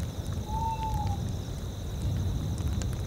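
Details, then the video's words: Tawny owls heard in a tundra setting. One clear, smooth hoot lasts under a second and arches gently in pitch. Low wind rumbles throughout, with constant high cricket chirring in the background. "tawny owls"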